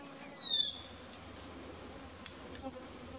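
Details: A Wire-tailed Manakin in the Amazon, during a courtship display and dance for a female, gives one thin, high, downslurred whistle, followed by a few faint sharp clicks over a steady buzz of insects.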